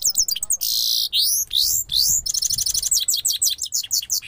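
A goldfinch sings a fast, tinkling run of high twittering notes, slurred whistles and buzzy trills, pouring out with hardly a pause.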